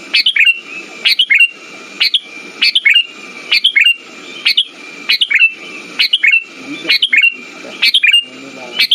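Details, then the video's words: Bubbly song of a sooty-headed bulbul, played to lure and stir silent birds: fast series of short chirped phrases, a sharp rising note and warbling tail, each paired with rough low crackle. "Pancingan burung kutilang macet"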